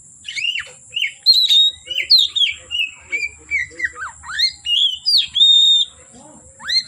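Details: Oriental magpie-robin in song from afternoon until dark, delivering a lively string of loud whistled notes, many sharply falling slurs and a few sustained pure tones, about two notes per second over a soft background hum.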